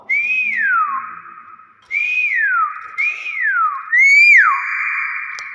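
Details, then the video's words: Hill myna, described as actively vocal and recorded as its real voice, giving four clear whistled notes about a second apart, each briefly rising then sliding down, the last followed by a long level whistled tone. "BEO GACOR SUARA ASLI"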